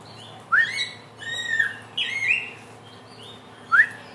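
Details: Helmeted friarbird, the samyong of NTB and NTT, known as the 1001-voice bird, utters a few mellow whistled notes, some rising sharply and others held and slurred, separated by short pauses.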